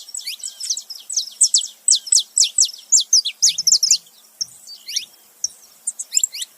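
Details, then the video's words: Saffron finch pair, male and female, making noise together: a steady run of loud, sharp, high chips about twice a second, briefly faltering, then a few thinner notes near the end. "canário da terra macho e fêmea junto fazendo barulho"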